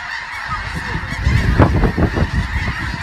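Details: Snow geese giving a chorus of overlapping nasal honks, loudest in the middle of the stretch, over a steady background hiss.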